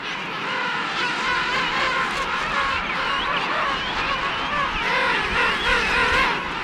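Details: King penguins at the island's second largest colony, Salisbury Plain, South Georgia, on an early morning landing, form a dense chorus of many overlapping, wavering, brassy trumpeting calls in a steady din, with a low rumble of wind or engine beneath.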